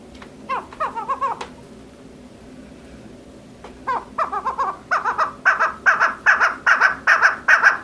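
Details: A female chukar partridge (chakor) gives a few soft, broken clucks, pauses, then bursts into an accelerating run of loud, rasping chuk notes that settles into a steady, evenly spaced rhythm. A low room hum sits in the background.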